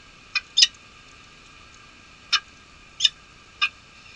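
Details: At a snowbound nest at Nottingham Trent University, UK, on 23 March 2013, a male peregrine falcon relieves the incubating female; five loud, harsh, clipped notes, two close together, then three spaced singles.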